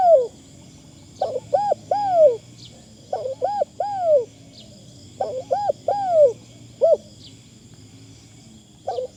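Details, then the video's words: Decoy spotted dove calling in repeated phrases of mellow, arched coos, each group of two or three notes followed by a longer drawn coo, with pauses of about two seconds and a faint high whine in the background. "ต่อนกเขาใหญ่ เสียงดีมาก"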